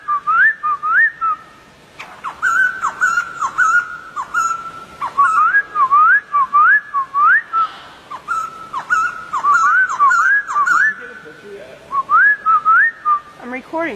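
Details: Long run of whistled song from a wild white-crested laughingthrush: repeated rising flicks and loops in lively bursts, a brief lull, then more phrases, with a soft rustle near the end.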